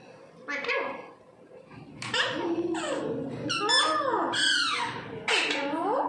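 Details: Indian parrots kept at home chattering indoors: a string of loud, nasal squawks and arched, rising-then-falling calls, roughly one each second, some sounding almost speech-like, in a small room.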